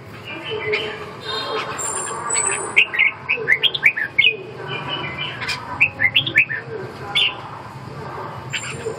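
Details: Red-whiskered bulbul song of rapid chirped notes in brief runs, over a noisy background hum with faint distant chirps.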